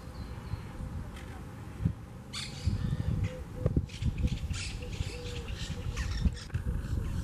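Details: Harsh chattering squawks from wild Monk parakeets at a big communal twig nest in a palm tree near a Southwest Florida beach. The calls come in clustered bursts over a constant deep rumbling background.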